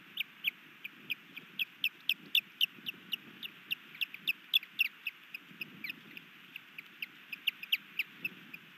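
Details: Osprey at a Missoula, Montana nest, 3 May 2020, during a new male's attempt to mate with the female. Rapid series of short, bright chirps, about four per second, steady and insistent, over faint low background rumble.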